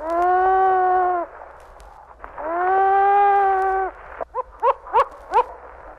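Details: Long-eared Owl, in a 1961 field-guide recording of eastern and central North American birds, giving two drawn-out, moaning wails, each over a second long, followed by a quick run of short, rising squealing notes.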